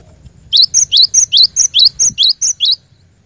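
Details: Lure-bird cinereous tit giving a rhythmic string of about ten piercing notes, upslurred chips alternating with level high tones at roughly four per second, over faint background rumble.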